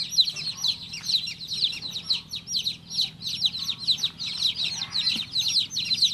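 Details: Continuous high chirping of a baby chick, dense falling peeps packed closely together for the whole stretch, steady in loudness, with a faint hum beneath.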